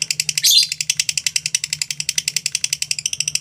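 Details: Lovebird ngekek trill, a rapid series of harsh high chirps with one louder squawk early on, continuing evenly to the end; a low mechanical hum runs throughout.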